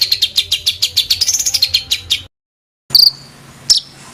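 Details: Songbird delivering a rough, tight-rolling song used as a training recording for competition fighter birds: a run of rapid, high buzzy notes repeated about five times per second, then a pause and two sharp, high chips.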